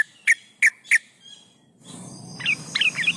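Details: Female yellow-vented bulbul in breeding condition calling to males, recorded as a lure: three sharp, separate chirps, then a busier stretch of quick chattering notes over a soft background hiss.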